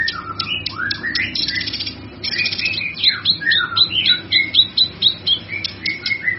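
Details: Cucak kinoi song, used as a tutor recording for training other songbirds: varied slurred whistles and descending notes, then a run of sharp chirps repeated about twice a second, with faint low hum behind.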